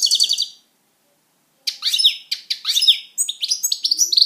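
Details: Pet European goldfinch in song, a brief twittered phrase, then a second of silence before a quick run of liquid, high chirps and tinkling notes that grows denser toward the end.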